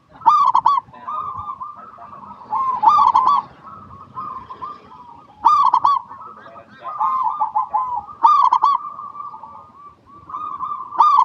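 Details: Local zebra dove song, played as a lure to get other zebra doves singing: loud bursts of staccato harmonic coos, repeated about every two and a half seconds, over a steady layer of softer rolling coos.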